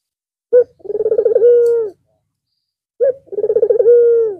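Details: White Barbary dove with red eyes cooing again after a long break for Eid al-Fitr. Two phrases about two and a half seconds apart, each a brief sharp note followed by rapid rolling pulses and a long, steady, slightly falling coo.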